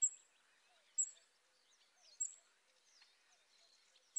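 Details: Several Western yellow wagtails at Lake Drużno giving thin, very high, short call notes about once a second, over a background of soft, mixed twittering from other small birds.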